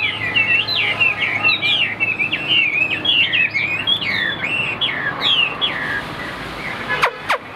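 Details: White-winged, white-tailed Chinese hwamei, kept in a cage and perched high, sings a long series of varied, hooked whistled phrases, each note sliding up and down, ending with two sharp clicks.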